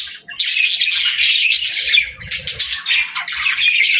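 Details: Playful pet parakeets give steady, high chattering warbles with sharp squawk-like notes, several birds overlapping almost without pause.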